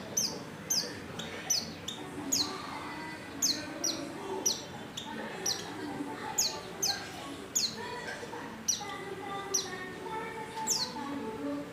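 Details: Calling female white-eye in heat summoning a male; thin high descending chirps at irregular intervals, quieter and set against a busier, noisier background.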